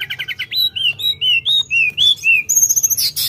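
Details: Lively Sooty-headed bulbul song of rapid paired chirps followed by a sequence of clear whistled slurs, each about a third of a second, rising and falling, ending with high thin whistles and a buzzy burst.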